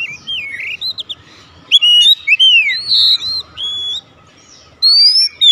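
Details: Oriental magpie-robin in 'nembak' song, with scattered clear whistles, sliding slurs and a high, drawn-out rising note at the end, separated by short silences.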